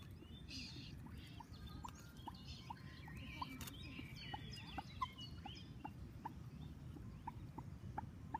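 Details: Several short, clipped peeps from common moorhen chicks, scattered through the recording in quick succession, with faint songbird chatter above and constant low background rumble.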